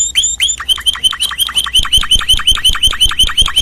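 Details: Canaries singing indoors: a steady series of bright, sharply descending chirped notes, repeated about three times a second with a slight ringing overtone, forming one continuous, even tour of song.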